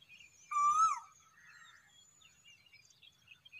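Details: At sunrise, a cuckoo gives one strong whistled note that swells and bends downward, with harmonics. Afterwards, faint chirps and twitters of other birds continue in the background.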